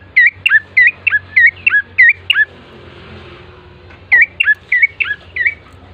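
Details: Bar-winged prinia lure song to make birds sing quickly: two bursts of whistled, hooked chirps, about three per second, separated by a quiet gap.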